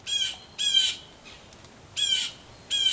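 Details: Mad blue jays at a Missouri farmhouse during a rain shower give harsh, raspy screams, two close together, a pause, then two more, over light rain.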